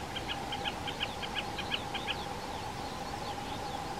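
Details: Common snipe on a Krkonoše peat bog at 1420 m altitude, uttering a brisk run of paired, clipped tick notes for about two seconds. Faint slurred whistles of another bird follow, over constant background drone.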